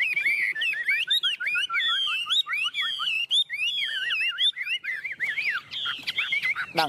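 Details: Chinese hwamei, a tame bird sitting on a hand and singing energetically in 'ôm cóng' style; continuous bright, warbling whistles with rapid rising and falling loops, varied and unbroken for nearly seven seconds.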